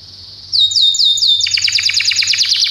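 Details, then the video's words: Belgian canary in training song: a brief soft whistle, then loud repeated down-slurred notes merging into a rapid rolling trill. "treinamento para canário belga"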